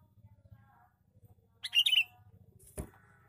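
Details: Lure call of a male sooty-headed bulbul, one quick, bubbly burst of squeaky chattering notes, preceded by a steady low droning hum and followed by a sharp click.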